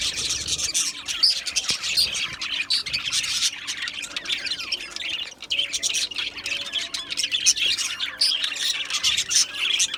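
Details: Colony of Australian budgies in an aviary, a dense, continuous chorus of high, scratchy chirps and warbles from many birds at once, with a faint steady low hum underneath.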